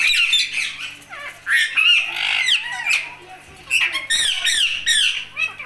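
An Indian ringneck parakeet chatters in a high, raspy, speech-like voice, with quick bursts of words and squawks and brief pauses between phrases.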